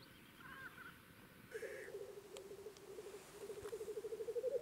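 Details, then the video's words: A black grouse lek in Russia in spring: after a faint hiss, a low bubbling coo rises in volume and pulses quickly and regularly, about four beats per second. "Black grouse lekking in Russia (Тетеревиный ток)"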